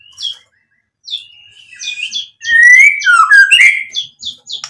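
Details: Murai batu in 'gacor' singing meant to provoke a reply: short sharp whistled notes with pauses, then a loud run of rising and falling fluted phrases and quick chips.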